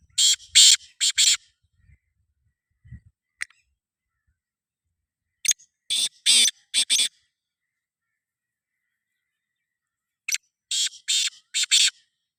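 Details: Black francolin calling: harsh, grating rasps in clustered groups of three to four, each phrase separated by several seconds of quiet, with a faint low thump between phrases.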